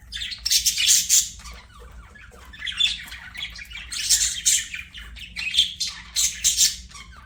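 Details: Budgerigars singing while playing: bursts of harsh, buzzy chatter and squawks, high-pitched and uneven, coming in clusters separated by short pauses, with a faint low hum underneath.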